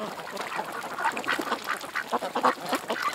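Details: Ducks at a creek give short nasal quacks in quick irregular succession, several birds calling over a soft background hiss.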